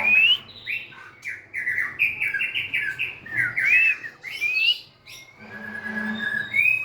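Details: White-rumped shama singing a rich, varied song of clear whistled phrases, slurred rising notes and rapid chirpy trills in bursts with short pauses.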